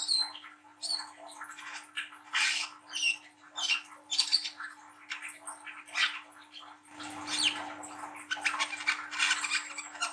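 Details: Juvenile, spotted brown-throated sunbird with a harsh twittering song used to coax young birds into singing. Continuous scratchy, squawking notes mixed with thin high squeaks, softer toward the end, over a steady low hum.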